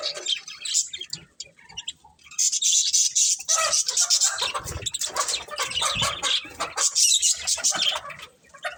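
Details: Pet budgerigars give harsh, buzzy chatter and squawky notes, quieter at first and then a loud, continuous scratchy warble from about two seconds onward, with occasional low rustling.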